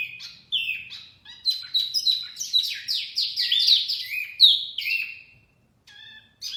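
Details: High chirping of a wambi mini, played to lure birds, builds from scattered notes into a dense run of slurred whistles, then fades to faint chirps with near silence between.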